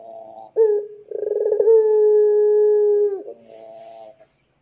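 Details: Lure call of a lively ringneck dove in the 'dor' style. A sharp opening note leads into a rapid rolling trill, then a smooth, sustained low coo lasting about two seconds that dips at its end.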